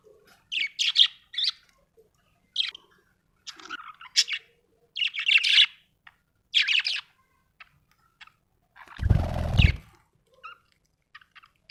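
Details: Contented budgerigar giving scattered bright chirps and short warbled phrases at irregular intervals, with a brief loud rustling noise near the end.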